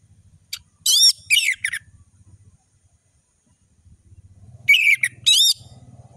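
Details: Two short bursts of loud, rich chattering notes from an orange-headed thrush tutor song, separated by a pause, with a low humming background between phrases.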